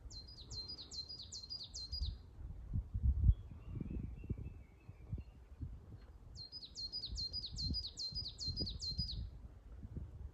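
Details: Coal tit, Mount Asahi, Shiga Kogen, Nagano, Japan, 29 May 2022, 1520 m altitude, singing on a Norway spruce top: two strophes of fast, high, repeated two-note phrases separated by a pause with a faint lower buzzy sound and rumbling wind.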